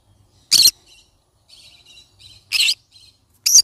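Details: Yellow-sided conure giving three harsh, loud, broadband squawks about a second apart, with faint softer chirps in between.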